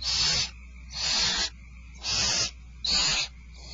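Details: Barn owls at Starr Ranch at feeding time on 2/1/12. Four long, rasping hisses, each about half a second, repeat at roughly one-second intervals over a quiet background.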